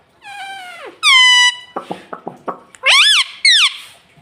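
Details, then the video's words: Pet parrot talking indoors, said to repeat words like "Mitthu" and "Mummy": loud, harmonically rich squawk-like phrases, some falling, some arched, interrupted by a run of about six short clicking pulses. "Talking Parrot Mitthu Mitthu 😘 Bolne Wala Tota 🥰 Mummy Mummy Bolne Wala Tota"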